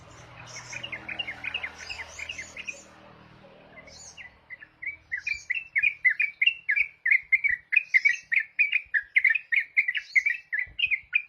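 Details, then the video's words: Yellow-vented bulbul singing in ropel style, a rapid, unbroken run of short chirpy whistled notes. After about four seconds of faint mixed chatter and background noise, it delivers quick, slightly scratchy phrases. "Trucuk Ropel"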